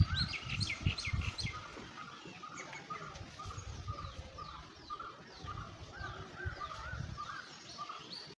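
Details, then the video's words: Birds chirping outdoors: a quick run of high chirps at the start, then soft, mellow notes repeated roughly once a second, with some faint high chirps and low rumbling background noise. "birds chirping sound"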